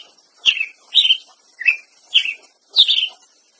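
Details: Ruby-crowned Tanager singing five clipped, sharp chirps at uneven intervals of roughly half a second, each note dropping quickly in pitch; quiet background otherwise.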